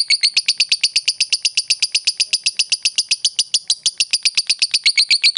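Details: Lovebird of the fighter type giving ngekek chatter meant to provoke a rival into chattering back: a fast, steady run of harsh, buzzy notes, about four per second, held without pause throughout.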